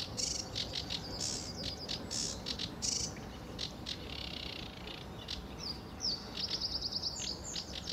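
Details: At RSPB Fowlmere on an early July 2013 morning a lively sedge warbler pours out harsh rasping chatter, then switches to a fast, even, ringing trill near the end.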